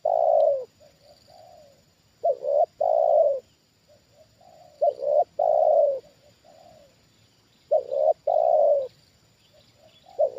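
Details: Trained spotted dove reacting to a wild bird that came down for the second time. It gives loud, low cooing phrases in short bursts about every two to three seconds, with softer, quieter coos between them.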